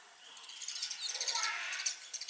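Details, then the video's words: Sparrow fighting its own reflection in a mirror, treating it as a rival for its territory; a dense burst of sharp, high chirps and tweets that grows louder and busier toward the end. "Sparrow fight with no Opponent"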